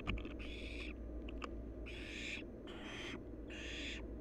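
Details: Wild barn owl nestling at the nest, active during play and wing exercise, giving four harsh, breathy hissing bursts of about half a second each, with a few faint clicks early on and steady low background hum.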